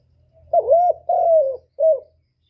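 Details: Spotted dove coo of the kind used to lure wild doves into traps and excite caged birds, made of three mellow low notes. The first two are long and slightly falling, and a shorter final note follows after a pause.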